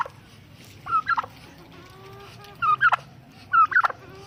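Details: Angry tom turkey gobbling: three bursts of rapid, rattling, bubbling notes, each under half a second, coming about once a second, over a quiet background.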